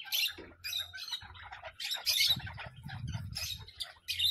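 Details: A parrot repeats rough, noisy squawks about every half second. A duller low rumbling sound runs beneath them midway, over a faint steady hum.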